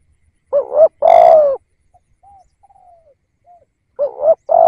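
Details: Caged spotted dove used as a decoy to attract wild doves: a quick two-part rising coo, then a drawn-out booming coo that dips at the end. Soft faint notes follow before the phrase starts again.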